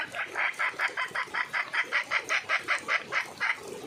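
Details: Red junglefowl hen calling for a mate: a quick, steady run of about nineteen harsh clucking notes, roughly five each second, with faint background hiss.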